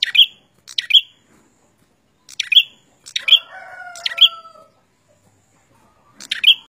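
A prinia gives sharp, high, clipped chips in irregular bursts of one or two, about six in all, with a faint lower whistling tone in the background.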